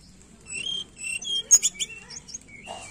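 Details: Tledekan song played as a lure to coax a bird that is reluctant to sing; high thin whistled phrases and a few sharp chips, fairly quiet, with a low hum underneath.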